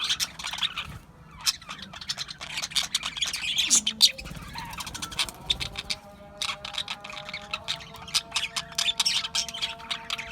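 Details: Budgerigars from Australia chatter nonstop in rapid, buzzy chirps and clicks, many short notes tumbling together, with a low steady tone underneath.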